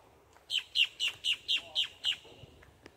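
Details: Boat-tailed grackle calling, recorded October 17: seven loud, sharp, raspy chip notes evenly spaced about a quarter second apart, strong and close, with a faint click near the end and little background noise.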